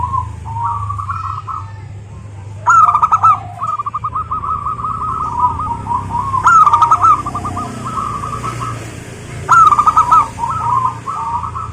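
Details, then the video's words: Zebra dove song for luring local zebra doves: repeated long phrases of rapid rolling coos, each opened by a sharp loud note, running almost continuously with a low hum underneath. "suara burung perkutut, GURU VOCAL JITU atasi kutut lokal gacor untuk pancingan perkutut agar bunyi"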